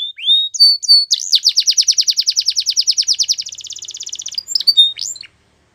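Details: Singing canary opens with a few clear upslurred whistles. It breaks into a long, fast rolling trill of even, repeated notes that shifts to a finer, quicker roll, and ends with scattered short whistles. The background is clean.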